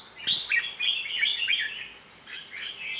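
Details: Red-whiskered bulbul delivering a rapid rolling warble of clear whistled notes, easing off and then resuming more softly.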